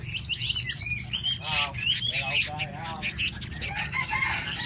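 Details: Hwamei singing a varied run of loud whistled and slurred phrases, some rising and some falling, with chattering notes between them and a constant low rumble underneath.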